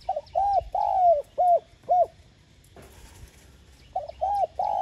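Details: ['Cooing spotted dove used to prompt other doves to sing: a run of short and long throaty coos, a brief gap, then the phrase starting again with two quick notes and a long coo.']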